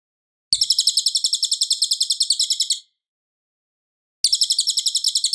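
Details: Cililin in loud, clear, steady song, used as a master recording for tutoring a white-rumped shama: a high, rapid, buzzy trill of evenly spaced notes lasting over two seconds, a silent pause, then the trill starts again. No other sounds.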